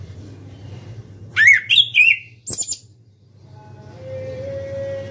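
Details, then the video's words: Orange-headed thrush singing loudly with open beak: a quick run of warbled, slurred notes rising and falling, followed by a few sharp high chips, then quiet with a steady low hum and a faint thin tone. "ANIS KEMBANG SUARA KERAS BUKA PARUH"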